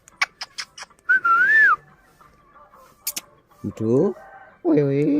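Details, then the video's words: Pet parrot at home giving a wavering whistle, then clicks, then harsh voiced speech-like phrases with rich harmonics, each lasting about half a second, over faint background music. "Mera Tota katna acha bolta hy Funny parrot"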